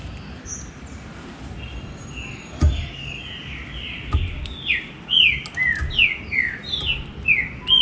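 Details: Green-winged saltator in a 'baruc' style song, used to make caged birds lively. Faint, distant whistles open over a noisy background, then clearer downward-sliding notes come at a quick, uneven pace.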